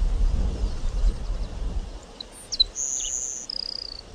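Grassland sparrow song: a few thin, high chips, a long sustained whistle, then a dry, insect-like buzz. Low wind rumble fills the opening seconds.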